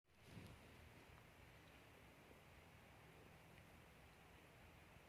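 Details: Only a faint, steady broadband hiss like distant wind or rain is heard throughout, with no distinct animal call.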